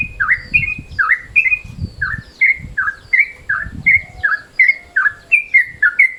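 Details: Midday-mode yellow-vented bulbul sounds, used as a lure: steady rising-then-level chirp pairs, about one pair a second, over intermittent low thumping background noise.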